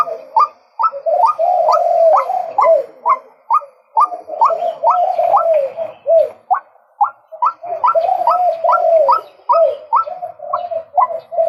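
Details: Male White-breasted waterhen calling continuously: quick upward-snapping notes twice a second, mixed with rolling lower gurgling tones in dense runs.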